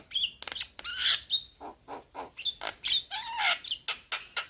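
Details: Young Javan myna singing hard, a rapid jumble of harsh rasps, clicks and squeaky whistled notes, some gliding downward, packed closely with hardly a pause.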